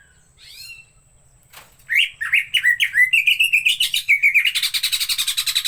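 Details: Green leafbird singing energetically: after a faint early chirp, a run of rapid sweeping whistled notes around mid pitch, building into a fast, dense stream of high, buzzy repeated notes at the end.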